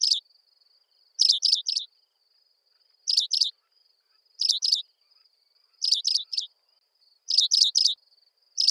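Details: African pipit in Kruger National Park giving high, sharp clusters of two or three quick chirps, repeated roughly every second and a half, over a faint steady insect hum.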